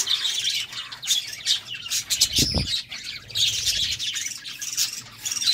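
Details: Budgies during courtship, chattering busily with dense, high twittering chirps and warbles. A brief low thump comes midway, and the chatter continues throughout.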